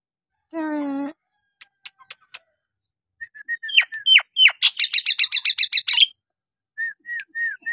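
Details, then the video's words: Nias hill myna giving one nasal honk and a few clicks. It then runs into short whistles and a fast pulsing series of ringing notes, ending with three falling whistled calls. "jalak nias gacor!! buat terapi jalak nias bahan atau yg malas bunyi agar gacor kembali"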